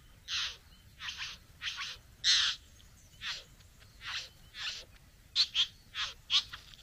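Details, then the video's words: Satin bowerbird courting a female at the bower: repeated rough, hissing rasps, about twelve, spaced unevenly, ending with several shorter, sharper notes in quick succession. "Bowerbird. ( Courting female at the bower)."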